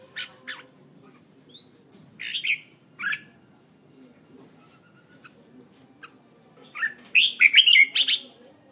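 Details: Red-whiskered bulbul decoy bird from Hanoi, Vietnam: scattered sharp chirps and a rising whistled slur, ending in a dense, loud flurry of warbled notes.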